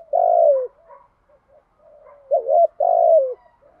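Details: Spotted dove cooing in the thổ style, a stimulating 'thúc gù' call used to train newly caught doves; the recording has both male and female birds. Low, mellow coos with a quick rolling upturn, three loud phrases with soft murmurs between them.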